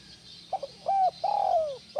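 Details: Cooing spotted dove, used as therapy to set other doves calling: faint double pip, a rounded coo, then a long mellow note falling at its end, with the next phrase starting.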